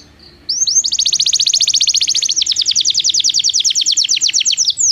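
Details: Belgian canary singing as training for non-singing canaries: a brief whistle, then a long rapid rolling trill of repeated high notes that shifts tempo midway and stays steady for about four seconds.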